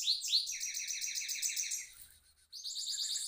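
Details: Rolling song of a goldfinch mule kept in a cage: two sharp upslurred notes open a fast, even run of rapid chirps, a brief pause, then another high trill of quick repeated notes.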